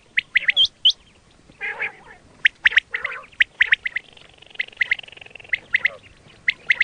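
Quail giving sharp, high chirps and squawky notes in irregular bursts, about one a second, with a few harsher rasping calls mixed in.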